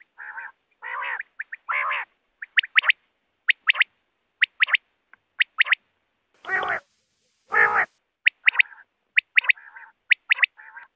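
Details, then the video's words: Quail calling in a recording linked to net hunting: harsh, nasal buzzy notes alternate with crisp high double and triple clicks, repeated roughly once a second, with two loud broadband bursts in the middle. "BATER Ki Awaz|Batair ki awaz 2024|Quail sound 2024|Quail shikar ki awaz|hunting Batera with net."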